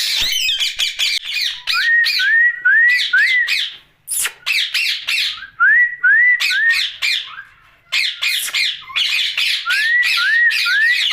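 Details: Pet ringneck parakeet vocalising at night indoors: bursts of harsh, buzzy squawks alternate with short rising whistles repeated in quick series, with brief silent pauses between runs.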